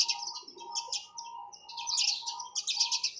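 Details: Several sparrows chirp excitedly, fast clusters of bright, high, twittering notes tumbling over one another, with a faint steady tone beneath.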